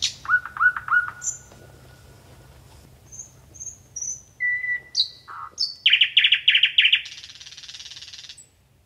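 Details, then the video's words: A common nightingale, a bird found across Europe, sings a complex, varied phrase: three quick repeated notes, thin high whistles, a long pure drawn-out tone, then a loud rapid churring rattle. "that complex song belongs to the nightingale how did you do let me know in the comments"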